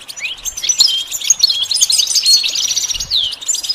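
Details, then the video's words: High-pitched goldfinch song, a rapid liquid twitter of mixed chirps, upward-sweeping whistles and short buzzy trills tumbling together without a break. "The basics of training the goldfinch to sing"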